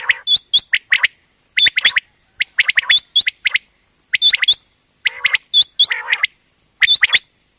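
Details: Female common quail, locally batair, heard for quail hunting and trapping; rapid bursts of upward-hooked high chirps mixed with clipped triplet notes, about every second, with a constant thin electronic whine behind.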